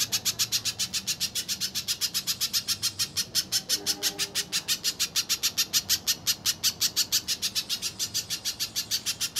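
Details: {'caption': 'Little spiderhunter in full continuous song, offered as a lure and training recording for contest birds: sharp, high, dry notes repeated steadily about five times a second for the whole stretch, with faint low background hum.'}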